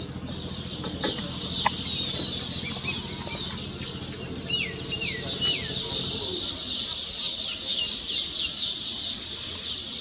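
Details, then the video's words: Weaver birds singing on their newly completed nests: a colony gives a dense, sizzling, buzzy chatter with a few short falling whistles, over a low hum during the first half. "Weaver Bird Songs"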